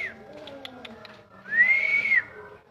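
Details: Black-naped oriole in the wild: faint short notes, then one smooth, clear whistle that swells, arches gently over nearly a second and drops away; low steady hum in the background.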